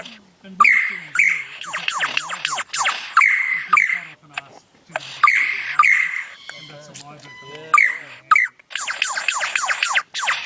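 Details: Lyrebird of Australia, a mimic of whatever sounds surround it, delivering loud bursts of ringing whistles mixed with harsh chattering and rapid clicking phrases, pausing briefly between runs.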